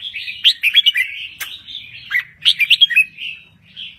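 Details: A red-whiskered bulbul of Thai origin sings a rapid, bubbling phrase. Sharp, emphatic notes and slurred whistles mix with a few clicking sounds. The phrase trails into softer warbles.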